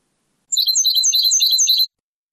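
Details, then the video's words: Moroccan Sebtaoui-style European goldfinch song from an old cassette recording: a brief burst of quick, tinkling, high-pitched twitters and trills lasting over a second, with silence before and after. "CANTO DEL JILGUERO ** شريط نادر و قديم للتغريد الحسون بالنمط السبتاوي المغربي"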